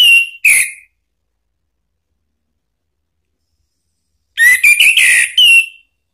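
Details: Provoking song of an orange-headed thrush for therapy of birds that have stopped singing: two brief whistled notes, a long gap, then a quick flurry of clear, slurred whistles ending on a steady tone.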